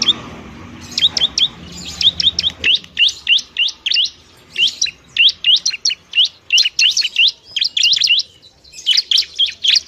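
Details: Bar-winged prinia singing energetically, a recording for coaxing quiet birds into song: repeated phrases of three to four high, hooked chirps with short pauses, continuing steadily throughout.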